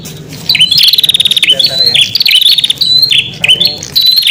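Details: Lure call of a prinia used to summon wild prinias: after a quiet start, a burst of rapid buzzy ticking trills with quick falling whistles, repeated in short phrases about every second.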